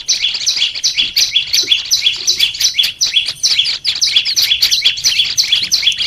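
Olive-backed tailorbird song: a fast, unbroken run of sharp, high chirps, about three per second, bright and chattering, with no other sounds.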